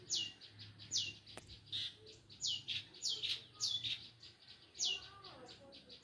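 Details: Long-tailed shrike in vigorous, full song: sharp high whistles that slide downward, repeated about once per second, mixed with softer chattering and warbled notes, over a faint low hum.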